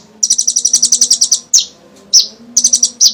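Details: Sunbird known as kolibri ninja singing to draw other birds into song: a quick high rattling trill, then sharp descending chips and another brief burst of rapid notes.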